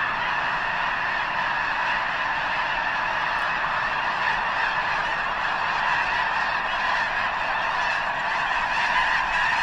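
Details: Enormous gathering of Snow Geese at the eastern end of Potholes Reservoir, likely preparing to fly north to breed on the arctic tundra; loud, sustained babble of countless high nasal honks layered over one another throughout.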